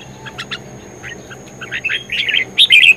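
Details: Red-whiskered bulbul in vigorous fighting-style song: short bright warbled chirps, scattered at first, then louder, quicker twittering phrases toward the end.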